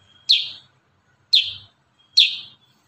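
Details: Kurincang song in 'tembakan rapat' style: three loud, explosive notes that sweep downward, each led by a thin level whistle, spaced about a second apart in an otherwise quiet recording.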